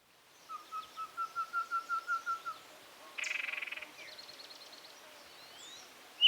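A Yellow-breasted Chat sings a steady run of about ten evenly spaced hollow whistles, then a harsh chattering burst, a dry rattle and a sharp upslurred whistle.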